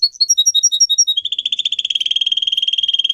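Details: Singing pet canary: a short run of clear alternating whistled notes, then a rapid rolling trill of quick repeated pulses held steadily to the end.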